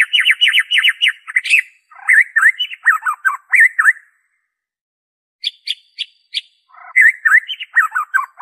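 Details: White-rumped shama, original unmimicked song meant to spur captive birds to sing: rapid looping trills, varied whistled phrases, a brief pause, then sharp high clicks and more warbling.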